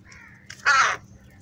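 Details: Crow, recorded while crows fight over food: after a faint, softer note, one loud, harsh, hoarse caw lasts about a third of a second, over a quiet, low background hum.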